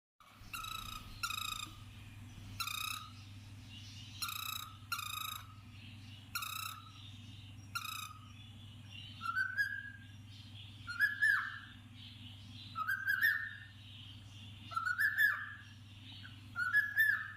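A cockatiel gives a run of short, harsh, harmonic chirps, then switches to clear, sliding whistled notes.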